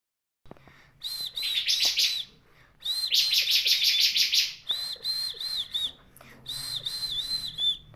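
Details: Bar-winged prinia, the crystal type; a rapid run of short, ringing high notes, each rising then dropping, in bursts of about one to two seconds, mixed with loud buzzy rattling and broad noisy background.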